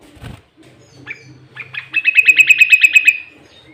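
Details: Lure song of a sooty-headed bulbul for attracting rival bulbuls: a few scattered notes build into a loud, rapid run of bright repeated whistles, about three a second, over a low hum.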